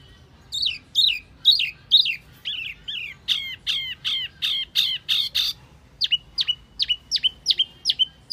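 Wambi giving a run of sharp, high chirps, about three each second, shifting from buzzy slurred notes to clean downward-flicking whistles.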